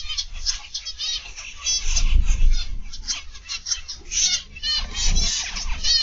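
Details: Zebra finches in an aviary, afternoon: many nasal, honking beeps overlap in a busy, continuous chatter with no clear rhythm, over a low rumble of background noise.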